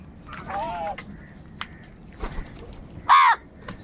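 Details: Crow calling: a drawn-out wavering call early on, then scattered faint calls from other birds, and finally one loud harsh caw near the end over a low background rumble.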